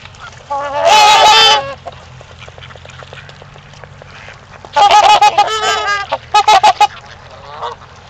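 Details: Trumpeter swans at Gallup Park, Ann Arbor, Michigan, during mating time give loud, brassy, horn-like honks, first a drawn-out burst, then a quick series of clipped notes, over a low background hum.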